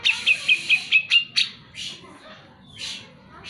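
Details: Grey-cheeked bulbul in full, energetic song, used as a lure to get lazy birds of its kind to sing: six short bright whistled notes about 0.2 s apart, then harsh broadband bursts and softer rasping notes.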